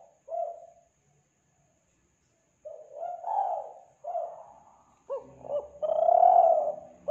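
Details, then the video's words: Tekukur, or spotted dove, from Kelantan, played to lure doves: a string of low, soft coos in uneven groups, ending in a fuller phrase of clipped notes and a long swelling coo. "Pancingan Suara Burung Tekukur Kelantan"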